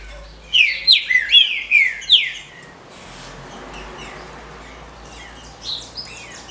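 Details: Captive female green-winged saltator calling to stimulate males: a rapid burst of five harsh, downward-slurred chirps, followed by a lull and a couple of faint notes.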